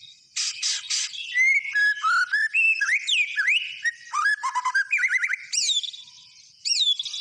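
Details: Energetic white-rumped shama song opening with two harsh buzzy notes, then melodious whistled slurs, fast twittering runs and high sweeping notes.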